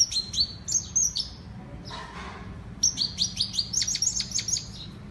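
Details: Female European goldfinch (Saira) singing bright, high chirps in fast runs. A brief burst of noise breaks the song midway before the rapid twitters resume.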